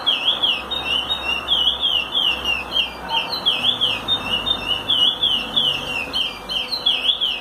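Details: A chestnut-bellied seed finch (curió) sings a steady stream of clear, sweet whistled phrases, rising and falling in quick runs, with hardly a pause; the song is meant for teaching young birds.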